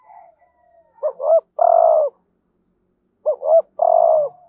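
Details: Spotted dove decoy bird calling to lure wild doves, a full 'thúc gù' calling sequence in the 'hạp bổi' voice: two low cooing phrases, each two quick rising coos then a longer steady croo, about two seconds apart, quiet background.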